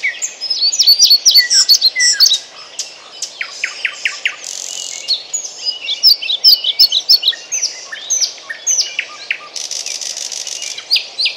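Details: European pied flycatcher singing in Bryansk: quick, high, sweet phrases of thin notes and short trills repeated in bursts, with other chirps overlapping and a buzzy note near the end.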